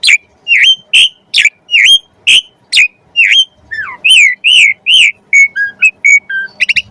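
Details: Javan pied starling song kept as mimicry material for magpie-robins: a fast run of loud whistled upslurs that turns into rounded, fluty notes and ends in quick clipped chips.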